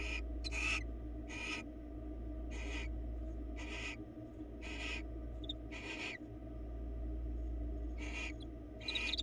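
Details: Around ten breathy, harsh hisses from barn owls watched by a Florida webcam, some in close pairs, repeated irregularly over nine seconds with a steady background hum.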